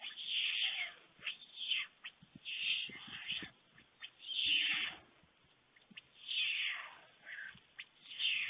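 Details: White stork family on the nest in Fohrde, Germany, 21 July 2019, an adult male bringing lunch to two young: rasping hiss bursts rise and fall about every second or two, with faint clicks in between.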